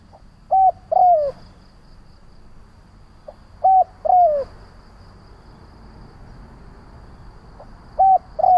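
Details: Repeated lure song of a decoy spotted dove provoking other doves: three phrases, roughly every three and a half seconds, each a soft pip, a flat coo and a drawn-out descending coo, over faint background hiss.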